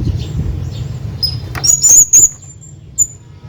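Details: Male hanging parrot calling out to his friend with a quick cluster of shrill, thin, piercing squeaks, then a single fainter squeak, over a low droning background.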